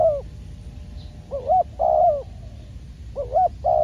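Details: Trained spotted dove used as a decoy during trapping, giving low, throaty coos, each note rising then dipping, in closely spaced pairs and single notes over soft background rumble.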